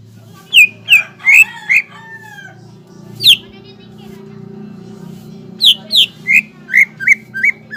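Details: Cucak ijo, the greater green leafbird, singing energetically as a lure to stimulate other leafbirds to sing. Short runs of bright descending whistles are broken by a lone piercing note and a lull, over a persistent low humming background.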